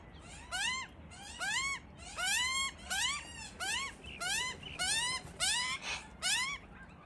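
Australian magpie giving a series of nasal, rising-then-falling calls, about nine in seven seconds, each under half a second, with faint room noise between.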